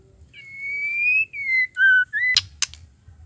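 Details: Female white-rumped shama call used to stir males into singing: a long, pure rising whistle, then shorter falling and rising whistled notes, ending in two sharp clicks.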